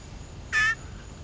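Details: Blue jay in human care, being hand-fed and shrieking when hungry: a single loud, harsh, harmonic-rich shriek lasting about a quarter second, with quiet room background.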